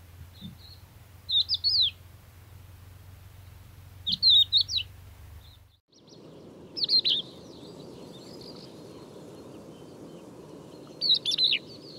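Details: Crested lark singing in Córdoba province, Spain: four short, high, fluty whistled phrases a few seconds apart, over a low background hum that gives way to a steady rushing noise.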